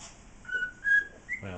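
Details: A pet cockatiel whistles the Andy Griffith Show (Mayberry) theme in clear, pure notes in an indoor aviary with six other cockatiels, with a brief human voice near the end.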